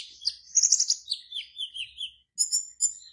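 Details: Black-naped oriole kept in a cage for an online song competition in Serang, Banten, Indonesia, giving a quick chain of high warbled notes that slide downward, then sharp squeaky chirps after a short pause.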